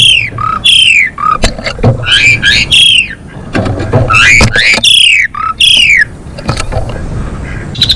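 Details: Female Asian pied starling in vigorous song, used to bring males into breeding condition: loud harsh descending whistles and squawks alternating with sharp clicks, in an unbroken loud stream over background rumble.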